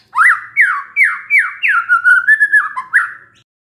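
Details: White-rumped shama singing after hearing a lure recording: a run of loud rising whistled notes repeated about every 0.4 seconds, then a quick trilled phrase and a final upslurred whistle.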